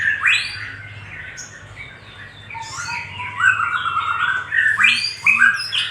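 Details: Little spiderhunter in a recording played as a lure to stimulate other birds: sharp rising notes and chattering phrases, bursts separated by quieter gaps, with a steady low hum beneath.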